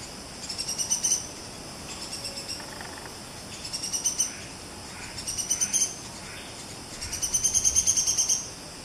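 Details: In a Malaysian rainforest, a Buff-rumped Woodpecker gives short, very high, rapid trilled bursts, about one every one to two seconds, over a soft forest hiss.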